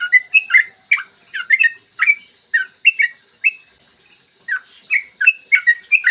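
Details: Yellow-vented bulbul singing in 'ropel panjang' style, a clear morning recording used to coax other bulbuls to sing quickly. Warbled, bubbly notes in brisk clusters, a short quiet spell near the middle, then renewed rapid chatter.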